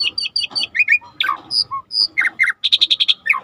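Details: Training recording of starling song with river nature ambience: rapid high chirps and short whistled slurs, with a fast, even run of sharp notes near the end.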